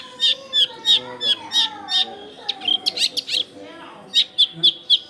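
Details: Vigorous Long-tailed shrike song meant to provoke freshly caught shrikes, taped at a house in a busy residential area: a run of sharp high whistled notes, then a chattering cluster and a further series of clipped whistles, with a soft low hum.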